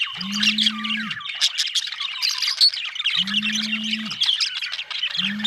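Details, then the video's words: Budgie chirping, a dense warbling chatter of high squeaks and trills, overlaid by a low, steady droning tone lasting about a second that repeats roughly every three seconds. "budgie chirping sound"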